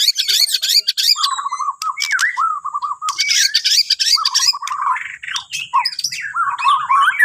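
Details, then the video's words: White-rumped shama from Borneo giving morning song to prompt other birds: harsh squawky high notes mixed with repeated mellow warbled phrases, loud and nearly continuous. "Kicauan Murai Batu Borneo❗Cocok Buat Pancingan Dipagi Hari"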